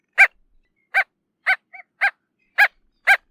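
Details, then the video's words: Bridled tern giving short, clipped yapping barks, each harmonic-rich note about a second apart, with one softer, quieter double note between them against a silent background. "Крачка бурокрылая. 5 часть. Голоса птиц"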